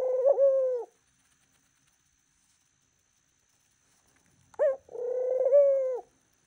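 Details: A pet dove cooing its morning greeting: two long, steady, mid-pitched coos, each opening with a short sharp rising note, separated by about four seconds of silence indoors.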